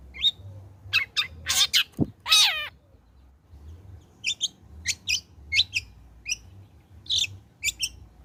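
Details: After its trotol moult, a long-tailed shrike sings as a lure to make others sing: quick chirps and a grating rasp, then a string of short sharp high notes spaced irregularly, over soft low hum.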